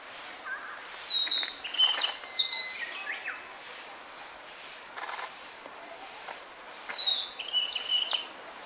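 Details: Narcissus flycatcher singing on Mount Rokko; clear high whistled and trilled phrases in two bursts, around one to three seconds and again near seven seconds, with quiet background between.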